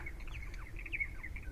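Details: Starlings nesting in small starling houses on Newcastle Island, Nanaimo, British Columbia, at the end of May, chatter in a quick run of short, high chirps and slurred whistles, several overlapping, over a low rumble of wind.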